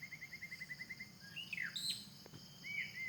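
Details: A wild white-rumped shama in forest gives a rapid run of about ten short, even notes, then higher slurred and fluty whistles and a final bright slurred phrase, over continuous high-pitched insect buzzing and a faint low rumble.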